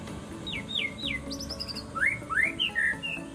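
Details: White-rumped shama song with three falling whistled notes, a high fluttering run, then loud rising slurs and short warbled notes, set against a constant low hum.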